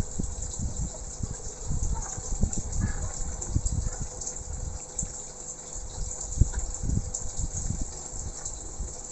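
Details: Gushing, pumping water dominates with low rumbling bursts and a steady high hiss, and no animal voice stands out.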